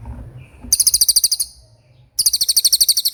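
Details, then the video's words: Cililin (common iora) delivering fast 'roll speed' singing: two bursts of rapid, shrill high trilled notes, the first after a soft low murmur, separated by a brief quiet pause. "Suara Cililin Gacor Roll speed"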